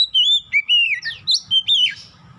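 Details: Short stretch of oriental magpie-robin song, used as a lure for untrained birds: smooth wavering whistles gliding downward, broken by quick sharp chirps, all loud and close.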